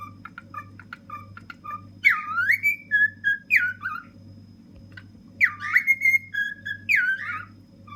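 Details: Ten-year-old male pet cockatiel singing from a fridge top. Soft chirps lead to two bursts of looping, rising whistles, separated by quieter chirping, over a steady low hum.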